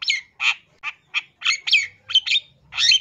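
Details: A long-tailed shrike from East Java sings a luxuriant fill-in song meant as a master lure for any shrike: harsh, nasal squawks alternate with short slurred whistled notes in rapid succession.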